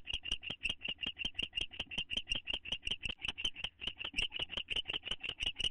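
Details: A bonded owl pair in their nest box, recorded 9 May 2011, with one bird seeking closeness. Loud, clicking, chattering notes repeat quickly and regularly, close to three each second, with no break.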